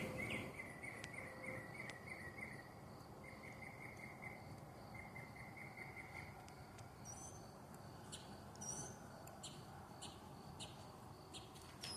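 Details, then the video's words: Bird heard at midnight with a constantly changing repertoire: strings of quick repeated piping notes, then a shift to different sharp high phrases, set against a continuous buzz of crickets and insects. "weird bird sounds at midnight"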